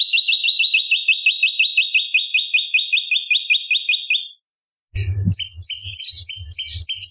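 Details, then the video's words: Bar-winged prinia singing as a songbird tutor and lure track: a steady train of clipped, rising chirps, several per second, for four seconds. After a short silence comes a busier high twittering over low knocking sounds. "Masteran Prenjak Lumut ! Variasi Suara For Murai C Ijo Cungko / Pancingan Prenjak Gacor /Suara Pikat"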